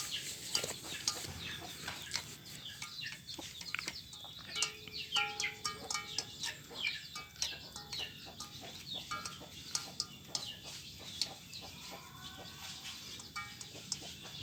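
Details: A long stretch of village chickens scrambling for feed: constant overlapping clucks, squawks and high chirps, plus a few steady tonal sounds in the background.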